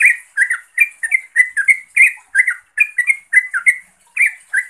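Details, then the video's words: Calls of a yellow-vented bulbul summoning a rival or companion: loud, liquid chirps in quick pairs, about three to four notes per second, steady and sharp throughout. "Suara Turcuk Memanggil Lawan/Teman"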